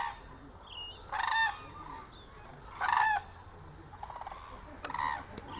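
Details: Loud calling from a hooded crane at Izumi's crane observation centre, Japan, December 2024, a family group of three including a young bird: two strong harsh bugled notes, then quieter shorter calls and background crane chatter.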